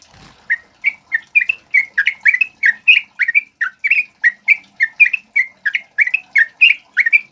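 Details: Energetic song of a male sooty-headed bulbul, called trucukan locally, used to train other birds: a long, unbroken chain of bright, bubbling whistles repeated rapidly and evenly, with no other sounds.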